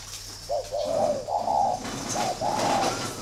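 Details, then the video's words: Spotted doves, a 'thổ' type and a 'thổ pha' type, kept in a bird garden in Ba Vì, Hanoi, Vietnam, urged to fight. They give repeated low, mellow coos in short phrases, overlapping almost continuously, with a faint steady hum behind. "Cu gáy thổ bên phải màn hình"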